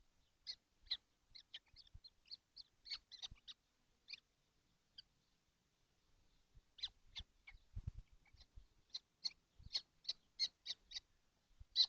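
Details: Kestrels in a nesting box, all seven together on a hot day in June 2025: rapid series of high, scratchy chips, a burst early on, a pause, then denser repeated calling.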